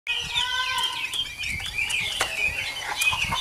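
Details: Chinese hwamei, an adult wild-caught forest bird noted for a good voice; rich harmonic whistled notes sliding up and down in quick succession, dense and continuous, with sharp clicks and some background noise throughout.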